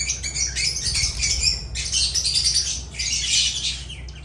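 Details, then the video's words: Lovebirds in continuous, busy, scratchy chattering, high and rasping, rising and falling in loudness for the whole stretch. "Agapornis love birds sounds"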